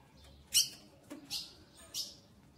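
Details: Ultramarine grosbeak female asking for mating, eager to mate. Three short, sharp high chips sound about once every 0.7 seconds against a quiet background.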